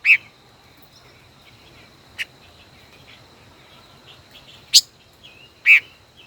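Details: Singing duel by a five-colored bird, a decoy kept in a cage for over a year: a few scattered sharp chips with long quiet gaps, and one faint high tick.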